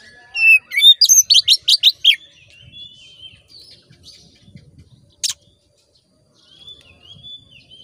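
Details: Oriental magpie-robin (kacer) song played to make a caged male aggressive: a fast burst of loud, sharp descending chips repeated several times a second, then soft drawn-out whistles and a single click.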